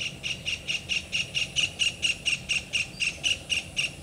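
Cotton pygmy goose giving a fast, steady run of short, high, nasal clucking notes, about four per second, with faint background hiss.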